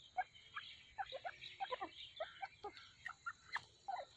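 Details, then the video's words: Breeding pair of five-year-old grey francolins that breed three times a season, giving a quick run of short clucking notes, about four per second and fairly faint, over a steady high hiss. "Teetar ki awaz teetar voice"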